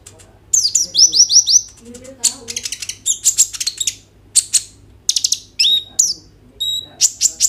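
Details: Kolibri ninja sunbird song recorded on an Oppo A37f to coax other sunbirds into singing: quick descending chirp series, dense buzzy chatter, sharp clicking bursts and a few clear falling whistles, over a faint hum.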